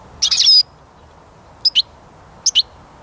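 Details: A European goldfinch sings outdoors in 2021, after the spring songbird-catching season and a little later in the day, the early morning having been wet: a quick high tinkling twitter, then two short bright double notes about a second apart.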